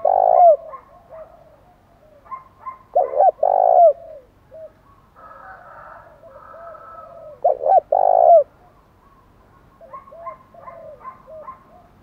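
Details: Loud spotted dove song meant to provoke wild birds, three phrases of short coos plus a long rolling coo, with softer distant cooing between the phrases.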